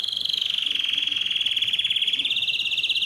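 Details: Canary song for training other canaries: a single continuous rapid rolling trill, pulsing evenly about three times a second in the loudness, holding nearly level pitch throughout.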